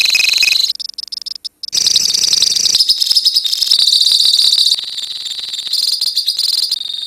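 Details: Lovebirds in a colony chatter shrilly, with a few choppy notes and short gaps, then a continuous high, rattling ngekek trill that keeps going to the end.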